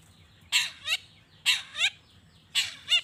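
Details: Long-tailed shrike calling to provoke rival shrikes into replying: harsh, raspy double notes, each pair a loud grating burst and a shorter upturned second note, repeated about once a second.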